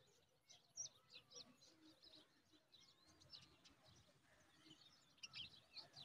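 Himalayan bulbul chicks give thin, high chirps in quick bursts, several overlapping every second, over a soft rustling background.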